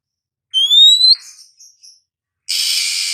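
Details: Oriental magpie-robin in the morning giving one loud, rising whistle followed by a few soft notes, then a steady harsh hiss of noise to the end.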